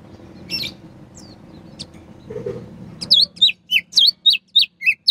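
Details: Morning ngeplong song of a sooty-headed bulbul, meant as a lure for a silent greater green leafbird: after a murmuring background, a burst of crisp, high whistled notes repeated about three times a second.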